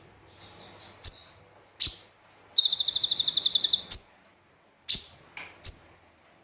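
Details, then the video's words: Brown-throated sunbird (konin) giving a combined mimicry song as a tutor recording: soft warbled notes, sharp high chips, and one long high rattle of even rapid pulses. "Konin Gacor Full Tembakan Kombinasi Gereja Sambung Cililin"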